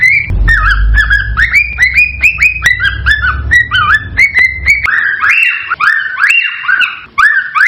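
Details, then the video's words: Breeding-stimulation song of a cockatiel: looping whistled notes with upward slides over a low hum, ending in fuller, louder arching whistles once the hum falls away. "صوت لتحفيز الكوكتيل على التزاوج والانتاج"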